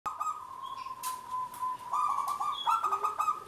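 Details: A local zebra dove in full, active song, kept as a lure to draw other doves into singing. Its voice is a continuous mid-pitched cooing tone broken into rapid stuttering pulses, with a brief low note near the end.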